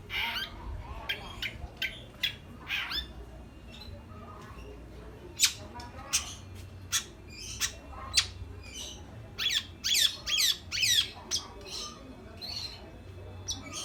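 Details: Long-tailed shrike sounding off with irregular runs of scratchy, clicking squawks and sharp high notes, ending in a louder cluster of harsh buzzy bursts.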